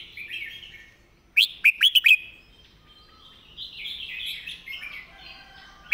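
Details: Red-whiskered bulbul master song used for teaching birds: a burst of four loud, clear, rising whistled notes near the middle, framed by softer warbled phrases before and after, with a last sharp note at the end.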